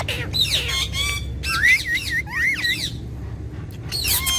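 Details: Pet talking parrot pair: harsh rasping squawks lead into a run of wavy, warbling whistled notes, then a pause and a final screech.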